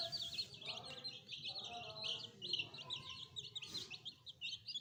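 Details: Freshly hatched pet chicks of a domestic hen give rapid shrill peeps in bursts, several birds calling at once so the high chirps blur into a busy twittering stream over a low hum.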